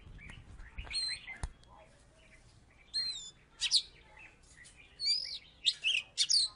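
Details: Oriental magpie-robin from Salatiga, a former third-place winner, singing after a few knocks and faint voices: scattered whistled and sliding phrases with pauses between bursts.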